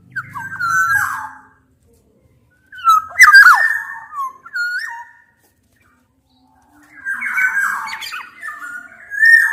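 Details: Black-naped orioles, a mix of Javanese and Sumbawa males and females, singing to challenge a rival; loud fluty whistles and harsh squawking phrases in bursts separated by short silences, with a brief low buzzing at the start.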